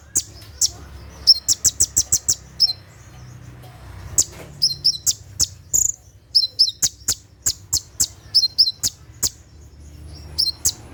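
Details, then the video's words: Night-time 'tembakan' song of a konin, the Brown-throated sunbird, meant for training caged birds: a dense stream of sharp, high ticking chirps, many with a slurred lower second note, running almost without pause. "SUARA TEMBAKAN KONIN SAAT DIMALAM HARI"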